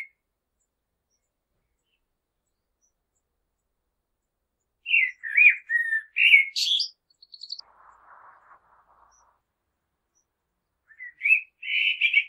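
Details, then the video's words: Common blackbird singing: a loud phrase of mellow whistled notes around five seconds, ending in higher squeaky twitters, a soft low rustle after, then another whistled phrase begins near the end. "common blackbird sounds"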